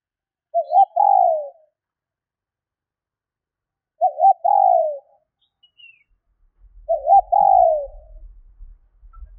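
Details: Female spotted dove calling to stimulate males: three low cooing phrases about three seconds apart, each a short wavering double note followed by a longer, slightly falling coo; faint low rumble near the end.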